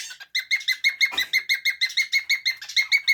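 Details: Adolescent cockatiel starting its ngekek cackle, recorded 7 June 2024: about five steady, evenly spaced, buzzy chirped notes per second, each strongly layered with overtones, after a brief scratchy start.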